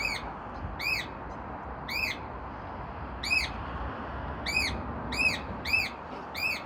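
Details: Cockatiel on a house porch on Michigan, met on a walk, March 26, 2026, giving shrill, arched screeching calls repeated irregularly about once a second over low background rumble.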